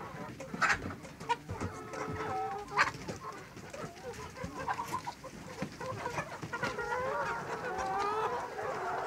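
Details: Layer hens, domestic chickens kept for eggs or meat; many birds cluck and cackle together, with a few louder sharp notes and rising drawn calls near the end.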